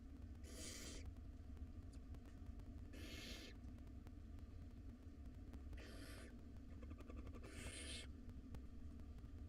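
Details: Five hungry wild barn owl nestlings in a monitored nest box at dinner time: four harsh, breathy hissing screeches, each about half a second long, spaced roughly every two to three seconds over a steady low hum.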